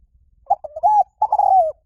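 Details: Liw Tan style spotted dove cooing used for training doves to answer: a stuttering mellow note that rises into a held coo, a short gap, then a long coo sliding downward at the end, with nothing else heard.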